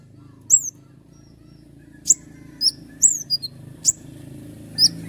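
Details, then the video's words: Common iora giving scattered sharp song notes: high, quick downward-slurred whistles and single snappy clicks separated by pauses, over low background noise. "roll tembakan panjang dengan tonjolan tajam mewah dari konin gacor untuk masteran burung kicau lain"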